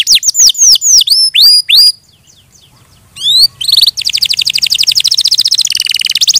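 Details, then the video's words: Canary singing: rapid descending whistled sweeps and pure tones, a brief pause, then fast buzzy rattling trills repeated many times per second. "Suara Burung Kenari"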